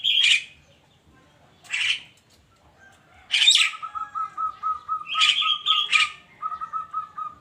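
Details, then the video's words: Morning song of a Javan myna: several raspy broadband bursts followed by a run of rapid, evenly repeated low whistled notes, then more squawks and a second note series. "kicauan burung kerak di pagi hari"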